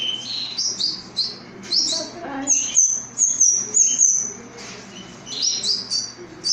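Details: Pet canary chick, orphaned after its mother died: rapid high chirps, then a run of sharp, evenly repeated thin notes about every half second, ending in more scattered squeaky tweets, with faint lower sounds in the room.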